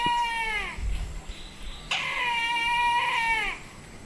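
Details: Brahminy kite, a resident bird of Myanmar, recorded at Indawgyi Wildlife Sanctuary in Kachin State: two drawn-out, nasal mewing cries, the first short, the second long and level, each sagging downward at the end, over faint low rumble.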